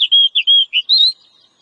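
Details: Oriental magpie-robin in the wild singing, its song known as ngobra: a rapid string of sweet level and slurred whistles ending in a longer bright note.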